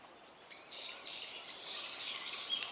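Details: Azure-winged magpie from a flock: a harsh, drawn-out nasal call with rasping buzzy tone, sustained for about two seconds, over steady background noise.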